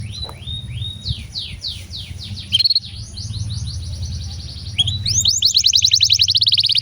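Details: Canary singing a long song used to prompt other canaries to sing: descending whistled sweeps, a steady rapid trill, then a loud fast high roll, over low background hum.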